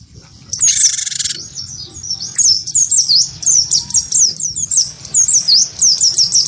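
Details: After one harsh buzzy burst, a wingko-type cinereous tit provoked by a white-eye launches into a rhythmic run of high, sharp, hooked whistles, about four each second.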